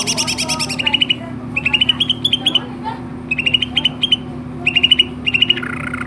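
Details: Greater green leafbird (cucak ijo) in full song, tagged Babelan, Bekasi: bright, sharp, clipped notes in quick clusters of three to five, with short gaps between groups and a constant low hum behind.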